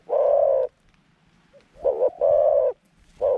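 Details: A decoy dove calling to attract wild doves to a trap gives long, full, steady coos, a short double note and another rich coo, with a faint low hum between calls.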